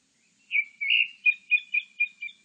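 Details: Grey-backed thrush song: a drawn-out whistled phrase followed by a quick run of five or six short, bright, evenly repeated notes at a steady pitch. Nothing else is heard.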